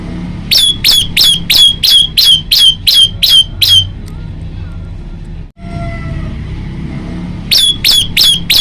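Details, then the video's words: Male Bar-winged Prinia recorded at night on a phone, singing steadily. Loud sharp chip notes come in a fast regular run of about nine, then a pause with low background rumble, then another quick burst. "kicau prenjak lumut gacor"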